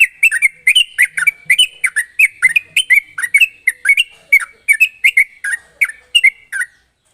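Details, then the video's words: Loud, sharp, fast song of a sooty-headed bulbul, used as a lure so untrained birds sing quickly: continuous bright slurred chirps in quick succession, then silence at the end. "pancingan burung trucuk gacor ropel tajam ini ampuh buat memancing trucuk bahan agar cepat bunyi"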